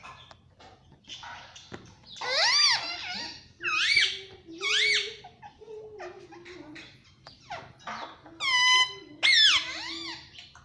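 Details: Pet Indian ringneck parakeet chirping indoors: bursts of shrill, warbling squeaks with bending pitch, separated by short pauses, alongside a steady low tone and faint room noise.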